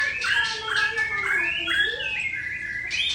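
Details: Aceh-type white-rumped shama with a drooping tail sings one long unbroken phrase: a steady flow of clear, sliding whistles between about one and four kilohertz, rising and falling notes with a few higher bright accents.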